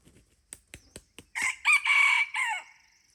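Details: Red junglefowl crowing in the morning while being lured with a decoy bird: a few sharp clicks and taps, then one loud, strained, drawn-out crow of about one second that rises, holds steady, and drops at the end.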